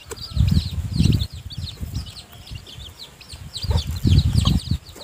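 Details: High chick peeps continue throughout as a hen feeds her newly hatched brood in the nest, broken by heavy, low bursts of sound.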